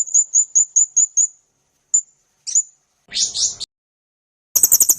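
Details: Murai (magpie-robin) song for training caged birds: six evenly spaced high chirps, two lone notes, a harsh rasping phrase, then a quick burst of high staccato notes.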